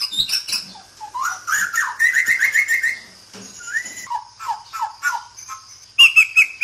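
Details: White-rumped shama (Murai Batu) in Sabah, Borneo, singing a rich, varied song: quick bright chirps and slurred whistles, a run of rapid repeated rising notes, then a loud clear trill of whistled notes near the end.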